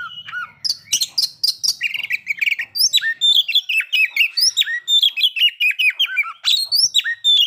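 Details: Lure song of an Oriental magpie-robin meant to stir breeding condition and aggression. Scratchy chatter gives way to bright upslurred and downslurred whistles, delivered in quick, uneven succession.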